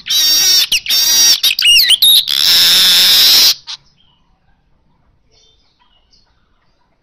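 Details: Baya weaver singing: rapid rattling chatter with sharp ticking notes and quick rising squeaks, ending in a long loud wheezy buzz, then near silence with a few faint clicks.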